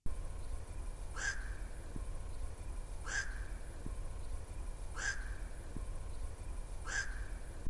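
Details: Black-crowned Night Heron, a rare breeder in the Netherlands, gives four single harsh, barking 'quok' notes spaced about two seconds apart, over a steady low rumble of background noise.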